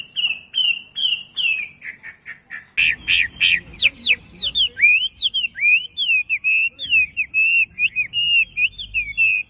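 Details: Wambi song used to train caged birds: a string of repeated short whistled notes speeds into loud rapid bursts, then gives way to a lively run of sharp upward and downward flicked whistles.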